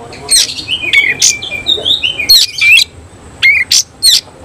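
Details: Kacer of the Cililin type with tail spread, giving loud shot-like bursts of scratchy notes and brief whistles, separated by short gaps.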